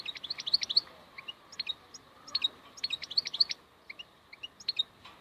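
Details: Wild European goldfinch singing: a quick, high twitter of short, sharp chirps and slurred notes in clustered bursts, with brief pauses between phrases and a quiet background.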